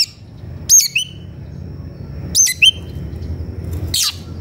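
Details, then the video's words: Oriental magpie-robin (kacer), agitated and seeking a rival to fight: two crisp whistled phrases, a high piercing note followed by a lower flicked one, then a brief rasping burst, in a quiet setting. "Suara kacer gocor dan emosi cari lawan tarung"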